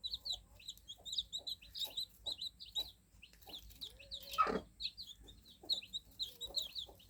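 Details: A brood of newly hatched chicks keeps up busy, high-pitched peeping, quick downward chirps repeated many times a second. Regular soft taps and one strong rustle mid-way are also heard.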